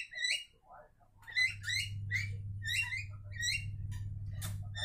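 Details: Javan mynas singing to each other in a lively stream of short rising whistles and chatters, ending with a harsh burst, over a continuous low hum.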